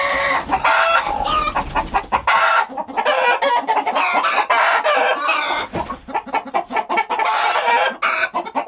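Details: Chickens on a farm, including laying egg noise: dense overlapping squawks, clucks and chirps from several birds, loud and continuous with short pauses, steady farmyard chatter.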